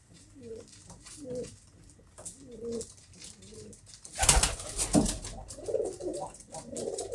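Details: Pigeon uttering a run of low, rolling coos for about four seconds, followed by loud wing flapping and clattering over fainter cooing.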